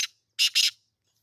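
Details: Black francolin being trained for a tournament, recorded on 17 June 2024, Eid day, at 6:30 in the evening: one short harsh note, then a pause and two loud grating notes in quick succession.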